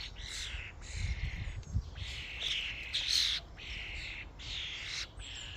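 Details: A flock of common starlings at a feeding station: a string of grating, screechy calls, each roughly half a second long, following one another with little pause, over low rumbling background noise.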